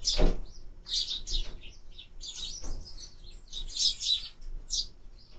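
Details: Sparrows calling at a feeder on a bird camera: irregular high chirps and twitters in clusters, with a few louder low thumps and knocks among them.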